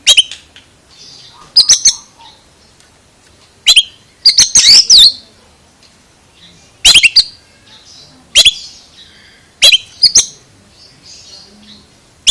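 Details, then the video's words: Strange-sounding Oriental magpie-robin delivering a lively series of harsh snapping chips, often doubled or in quick clusters, with a rapid rasping burst near the middle and soft high hissing notes between. "Suara ANEH Kacer ini Bikin HERAN"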